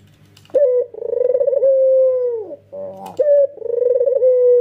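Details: Male white Barbary dove with red eyes, nodding as it coos: a short sharp note, a long wavering coo curving downward, a brief rough chatter, then the next phrase begins.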